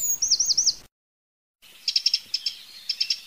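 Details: Wild Eurasian wren giving a short high trilled phrase. After a pause come scattered hard ticking call notes in small clusters.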